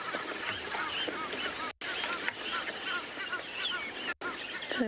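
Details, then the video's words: Egyptian geese at Chitwa dam watering hole at sunrise on 21 December 2021 keep up busy, hoarse honking and chattering as the wind dies and it warms, over a dense chorus including woodland kingfishers, with short dropouts. "the birds are currently chattering away with each other particularly the egyptian geese"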